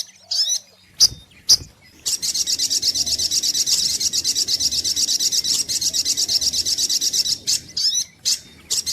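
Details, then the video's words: Brown-throated sunbird lure song: a few scattered sharp high chips, then a long rapid high-pitched buzzy trill for about five seconds, ending in separate sharp notes, over a steady low hiss. "SUARA PIKAT mp3 BURUNG SOGOK ONTONG"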